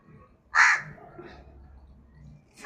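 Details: A single rasping, loud crow caw followed by quiet background, then the abrupt start of another caw right at the close.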